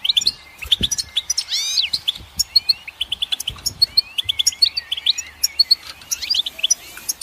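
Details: Goldfinch song with rapid chattering notes, sweeping upslurred whistles and buzzy trills, delivered almost without pause, with faint low thuds beneath.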